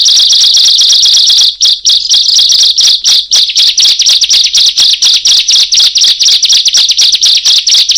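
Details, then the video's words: Loud lure song of a bar-winged prinia, used to attract birds: a piercing high note is hammered out in rapid succession, briefly breaking after a second and a half, then resuming its rhythmic, almost continuous pulse. "Suara Brutal Burung Ciblek / Prenjak Cocok Untuk Pikatan"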